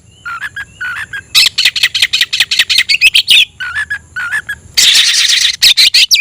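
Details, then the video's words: Oriental magpie-robin (kacer) singing energetically to find a rival: short whistled phrases, then long runs of rapid, harsh rasping notes, a dense scratchy burst and a final rising whistle. "suara burung Kacer mencari musuh"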